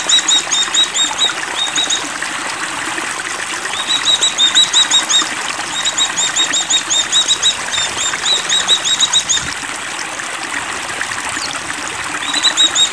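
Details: Oriental white-eye in breeding condition singing high, thin twittering trills in repeated bursts of a second or two with short pauses, over a steady trickle of running water.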